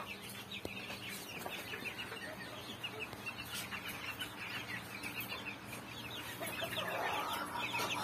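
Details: White bantam chickens cluck in a busy, overlapping chatter of short notes, roughly four a second, with a steady low hum behind.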